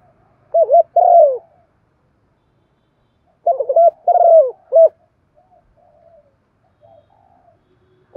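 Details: Decoy spotted dove with a thổ pha đồng voice, thúc and calling coos for training newly caught birds: two phrases, each a pair of short hoarse notes, a long downward-sliding coo and a short closing note, separated by silence.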